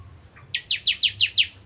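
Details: Bar-winged prinia starting to sing, a soft lower note followed by six loud, high, downward-slurred chips spaced evenly and quickening slightly.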